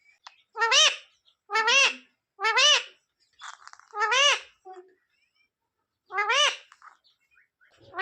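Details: Parrot imitating human words such as "sita-ram" and "jay shree ram": five shrill, harmonic, voice-like phrases, each about half a second, spaced roughly a second apart, with faint clicks between.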